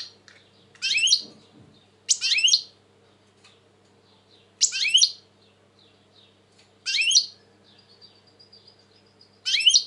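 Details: European goldfinch, said to be very agitated in 2020, giving short, dense, scratchy twittered phrases roughly every two seconds, separated by quiet gaps with faint tinkling notes and a low background hum.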